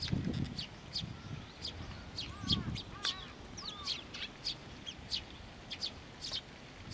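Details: Sparrows coming to a bridge at a Tenmangu shrine to be fed, 30 June 2023: scattered sharp chirps and a few soft rising-falling tweets, with low thumps and background rumble.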